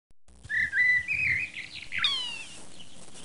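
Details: Young European goldfinches feeding on flower seeds in a wildflower meadow in a landscape park in Lemgo, Germany. A quick run of bright whistled chirps, then a burst of sharp, descending twittering notes against a quiet background.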